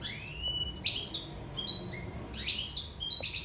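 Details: Sicilian European goldfinch singing in love: bright, tinkling high twitters and rising slurred whistles, broken by short pauses, with buzzy trilled bursts near the end.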